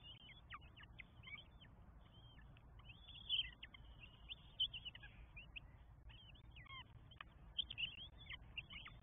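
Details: Four northern goshawk nestlings beg during feeding at their Estonian nest, 24 May 2022; insistent shrill, slurred squeals in dense overlapping runs, several louder peaks standing out.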